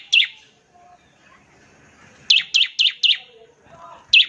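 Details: Bar-winged prinia producing sharp, high chirps, one alone, then a quick run of four, then one more, against a quiet background with faint low murmurs.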